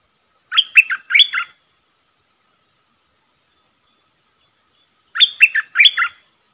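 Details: Caged decoy red-whiskered bulbul calling to lure a territorial wild bird: two short bursts of three warbled, slurred whistled notes, spaced about four and a half seconds apart, with quiet background.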